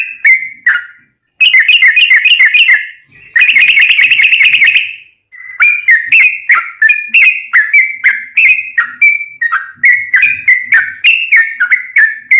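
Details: Yellow-vented bulbul giving long rapid ropel song as tutor material for caged birds: a slurred whistle, then two long fast rattling trills, then a lively series of chopped, liquid whistled notes.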